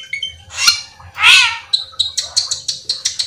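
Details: Cucak keling singing to lure others of its kind into song: two rough, harsh squawking bursts followed by a fast series of short, bright, clipped chirps, evenly spaced.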